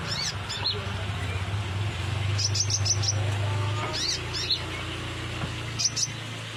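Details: Sunbird song used as a lure: high, thin chirps and short rapid bursts of sharp notes come in irregular clusters over a steady low engine-like hum.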